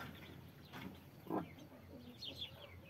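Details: A broody hen with her brood of 33 chicks gives a single low, short cluck, while faint high chick peeps rise and fall around it against a soft background hum.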